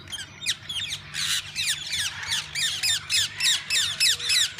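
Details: Captive parakeets in a walk-in aviary of a parrot park, where visitors can feed and hold the birds. Sharp, harsh squawks repeat rapidly at about three per second with a steady rhythm, close and loud over faint background hum.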